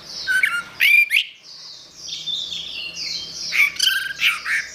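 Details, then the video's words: Orange-headed thrush singing in a recording meant for training songbirds, with loud varied whistles and harsh squawky notes, a pause, then a rambling run of high warbled phrases and more sharp notes. "Ocehan Suara Burung Anis Merah"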